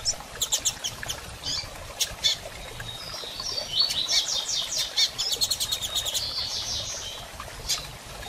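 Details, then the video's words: Female double-collared seedeater, excited and soliciting mating, uttering scattered sharp chirps and a lively run of rapid high notes mixed with thin whistled trills. "Fêmea de Coleiro Piando e Fogosa e Pedindo Gala!!"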